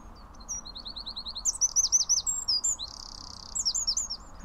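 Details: Eurasian wren (Troglodytes troglodytes) song, a loud song for such a tiny bird: a fast burst of high, sharp notes, rapid repeated chips and a dry trilled rattle in the middle, over a faint low hum.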